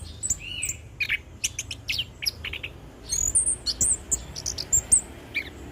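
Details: Anis kembang or punglor, the orange-headed thrush, singing ngeplong for tutoring and luring: rapid varied phrases of short clipped notes, squeaky high whistles and buzzy chirps following each other with little pause.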